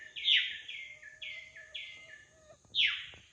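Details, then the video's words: Wild drongo in lively song, a loud falling note followed by three flat whistled phrases each dropping a step, a low steady tone beneath, then another strong downward swoop. "Suara burung srigunting asli di alam liar gacor"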